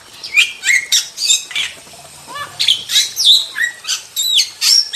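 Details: Wild starling (jalak) singing fast and high, a jumble of squeaky whistles, buzzy squawks and quick downward-slurred notes, with bursts tumbling out about three per second and one lower rising trill in the middle.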